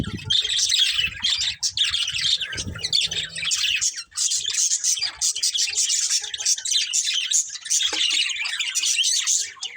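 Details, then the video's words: Budgies of a breeding pair keep up continuous rapid, scratchy chattering and chirps throughout, with some low bumps in the background. "Cute Colourful Budgies Chirping Sounds"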